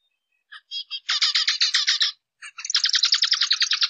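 Zebra finch giving a fast run of nasal, buzzy, harmonic notes in rapid bursts.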